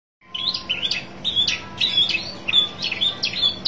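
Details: Long-tailed shrike (pentet) seeking a rival: a loud series of short, sharp chirps and slurred high notes repeated several times a second, with a faint steady hum beneath.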